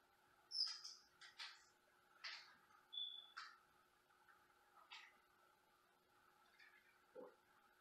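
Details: Senegal parrot kept as a pet at home: a run of rough, raspy screams and squawks of varied length over several seconds, with a short pure whistle in the middle and a low grunt near the end, steady indoor hum behind.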